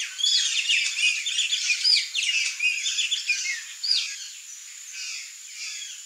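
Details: A flock of Chopi blackbirds (graúna) singing: dense, overlapping high chirps, squeaky whistles and short downslurred notes in quick succession, fading toward the end.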